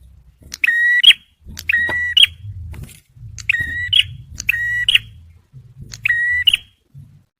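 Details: Male bar-winged prinia singing energetically in a recording used to lure and stimulate stressed birds: buzzy, flat, ringing notes, each opened and closed by a sharp click, given in bursts about once a second over a low background rumble.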